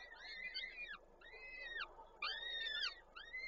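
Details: Koszalin, Poland, 13 May 2022: at a peregrine falcon nest the male brings prey and the female feeds the chicks; loud rising-then-falling wailing calls repeat about once a second, each arched and strongly harmonic.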